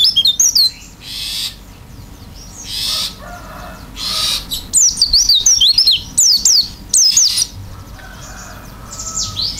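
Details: Oriental white-eye, isian-style song with beak open: scattered bursts of high sliding whistles between breathy rustling noises and quiet gaps, with a fuller twittering phrase in the middle.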